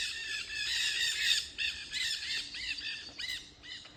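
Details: Several noisy parrots along a trail give harsh, rasping squawks with a falling, arched shape. A dense burst comes first, then separate calls roughly every half second, fading toward the end.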